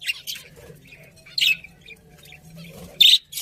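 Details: Pet budgies give a few sharp, bright chirps about a second and a half apart, with faint soft twittering between them.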